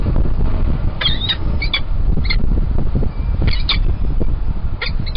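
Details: Three peregrine falcon chicks at their Kingston College nest at a lunchtime feed from a cached carcass on 21-04-21, giving short, harsh squeaky calls in small bursts over a steady low rumble of wind or background noise.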